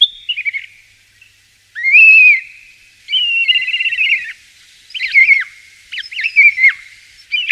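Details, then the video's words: Common starling song of harsh, buzzy warbles and grating notes in several bursts separated by brief pauses. "Pássaro Estorninho,conheça o seu Canto ! Estorninho Malhado"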